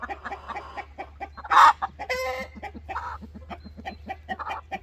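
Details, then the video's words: Rooster complaining: a run of short low clucks repeated several times a second, broken by a loud harsh squawk and a longer strained cackling note, then more clucking. "Hahn beschwert sich"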